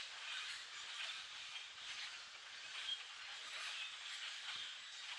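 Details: Hundreds of common grackles in one flock, foraging at treetop level, make a dense, unbroken wash of high creaky squeaks and chatter that hisses on steadily with no single voice standing out.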